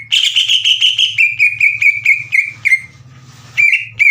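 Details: Green leafbird singing a lure to set untrained leafbirds singing: a steady run of clear, falling whistled notes, a brief quieter gap filled by low hum, then two more sharp whistles.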